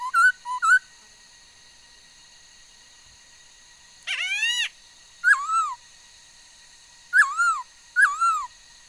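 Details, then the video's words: Female laughingthrush singing many kinds of sounds, 13 August 2021: short whistles, a long silence, a harsh rising overtone-rich note, then several paired down-up whistled notes spaced about a second or two apart. "noog sab hwj txawj quaj tau ntau yam suab khúớ mầi hót"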